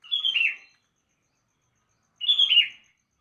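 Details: Sooty-headed bulbul singing in the morning, two clear, liquid phrases of bubbly whistled notes that tumble downward, repeated about two seconds apart over a quiet background.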